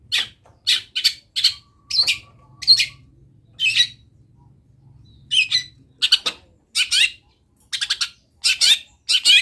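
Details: Long-tailed shrike in full voice, its song filled with mimicked wild-bird calls: bursts of high, scratchy chirps and chatters, a thin steady whistle, a short pause, then more rapid chattering notes over a low hum.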